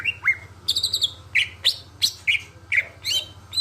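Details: Greater green leafbird song used as a lure for other birds: short separated whistled and chirped notes, some sweeping up sharply, spaced about a third of a second apart against a faint low hum.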